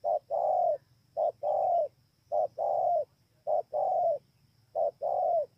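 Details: Spotted dove at Bờ Y, Kon Tum, Vietnam, 28 November 2017. Five quick phrases of a short coo followed by a long, full, slightly falling coo repeat regularly about every 1.2 seconds over a low hum.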